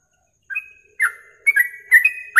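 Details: Yellow-vented bulbul song used as a masteran tutor recording for contest birds: after a brief silence, short clear whistled notes, some level and some dipping, separated by pauses, with sharp faint clicks above.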